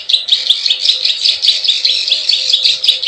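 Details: Plain prinia lure call, quick buzzy pulses with bright squeaky accents and high clicks, rhythmic and rapid.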